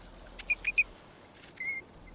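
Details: American golden plover alarm call on Uruguay's coastal ranchland: three quick, clear whistled notes then a longer, slightly rising whistle, high-pitched over soft background hiss.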